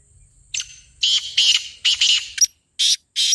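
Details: Harsh, raspy black francolin calling, offered as a voice to prompt a kept francolin to call: several broad grating bursts in uneven pairs, ending with two short sharp notes separated by silence.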